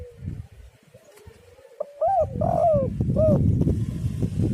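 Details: Spotted dove, locally tekukur, recorded as a lure to get other doves singing: a faint drawn-out coo, then loud clipped coo notes rising and falling, ending in a longer sliding note, over low rumbling background noise.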